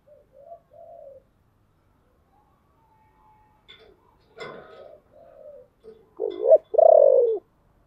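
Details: Decoy spotted dove with a deep, hoarse voice, used to draw in wild birds: soft low coos at first, a brief knock, then a loud wavering coo and a long falling note.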